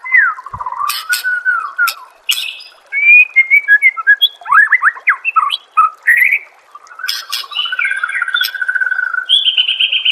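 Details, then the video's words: Extended white-rumped shama song from a songbird training master: rapid sliding whistles, a quick series of steep downslurs, buzzy rasps, and closing sustained whistled phrases. "Masteran murai AMPUH yang di pakai semua burung juara PASTI CEPAT GACOR DAN NGEPLONG"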